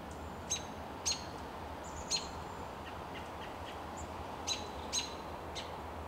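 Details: American robin giving contact calls at dusk while perched on a Coast Live Oak in Del Monte Forest, California, in March 2024: sharp, high, thin single notes spaced irregularly, about a second apart, over a low steady rumble.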